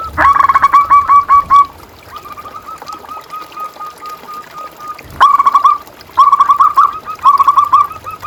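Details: Master song from a local zebra dove, meant to arouse and motivate quiet caged doves: strings of quick, bubbling coo notes run in long series, pausing briefly before resuming, with a sharp click midway.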